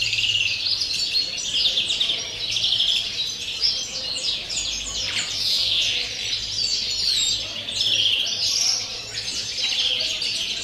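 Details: European greenfinch giving pure wild-type field song, recorded 30 December: a continuous run of fast, high, rolling twittering trills and chirps without pause, with a faint low hum underneath.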